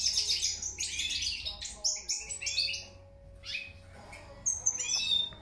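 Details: European goldfinch song in bursts of quick tinkling chirps and twitters, pausing briefly near the middle before resuming with bright rising notes; a low background hum is present.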